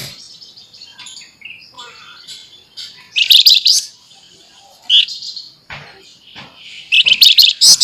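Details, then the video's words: Flamboyan bird in full active song with sharp rapid chattering, sung as a training recording: quiet thin twitters, then three loud dense high buzzy bursts of fast repeated notes, each about one second long. "FLAMBOYAN GACOR FULL NEMBAK NYERECET MBESET TAJAM"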